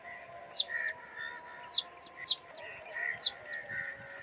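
A sparrow gives short, sharp chirps about every half second to second, high and bright, over a steady soft chatter of other birds in the background.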